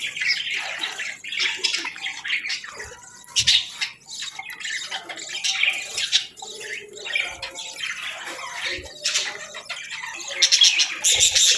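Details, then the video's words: Budgerigars chirping in the morning: a dense, continuous warbling chatter of high twittering notes, quick chirps and rasping squawks overlapping throughout, with louder bursts near the end. "Birds Chirping Sounds 🌅🐦 Budgie Morning Melodies for a Happy Start!"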